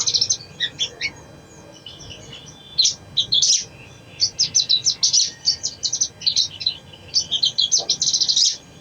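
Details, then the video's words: Sogon song used to coax a reluctant bird into singing: scattered high chirps at first, then rapid rhythmic runs of sharp, thin notes building toward the end. "SOGON | SOGOK ONTONG | PANCINGAN AGAR CEPAT BUNYI | MALAS BUNYI JADI RAJIN BUNYI"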